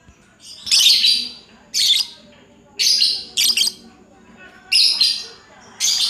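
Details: Caged lovebird in 'ngacor' song: harsh, buzzy, high chattering bursts, each under half a second, separated by short pauses, six bursts in all.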